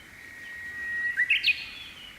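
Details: Japanese bush warbler in May, singing on a morning from the tip of a silver grass plume; a long steady whistle swells, then ends in a quick, loud, warbled flourish of three notes.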